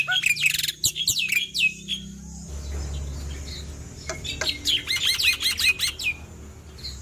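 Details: A male white starling (black-winged myna) sings loudly in bursts of sharp, rapid, high-pitched chattering whistles and chirps, pausing briefly before resuming, over a faint low background hum.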